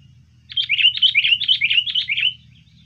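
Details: Sooty-headed bulbul lure recording: a rapid two-second chattering run of repeated bright notes at an even pace, over a low steady hum.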